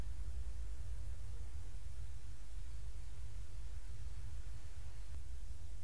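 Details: Steady low rumble and hum with faint hiss, with no animal voice at any point.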